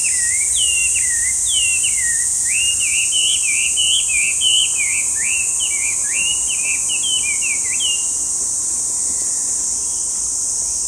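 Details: Chinese hwamei song: a lively string of whistled phrases, slurred notes sweeping down then up and repeated in bursts for around eight seconds, against a continuous high-pitched insect-like hiss.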